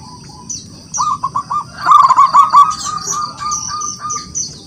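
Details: Local zebra dove from the wild calling out rivals with energetic song: a few clipped coos build into a loud rolling trill near two seconds, then a long softer drawn-out coo, with twittering high notes of other birds.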